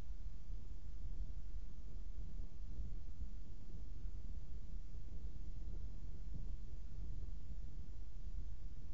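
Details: Steady low-pitched wind and background hum fill the recording; no animal calls are present.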